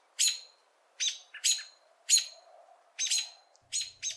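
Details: American robin; call; locating one another or warning of a potential threat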